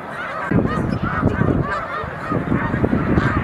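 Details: Huge flock of snow geese at the mucklands near Montezuma, New York, March 2022; many overlapping high nasal honks form a continuous din, with louder low thumping bursts, likely wind or handling noise, recurring from half a second on.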